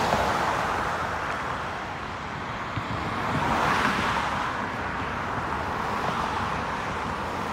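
Steady roar of road traffic fills the whole recording, with cars passing and no animal calls heard.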